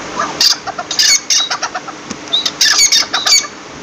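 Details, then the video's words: Partridge (teetar) with clustered harsh, grating notes, some with sharp whistled edges, coming in bunches separated by brief gaps. "Teeter ke Awaz"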